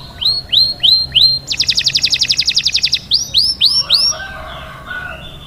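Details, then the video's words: Song of a canary meant to teach chicks: four rising-falling whistled notes, a quick buzzy rattle, then more curved whistles and softer warbled phrases at the end. "تغريد كناري لتدريب الفراخ على الغناء"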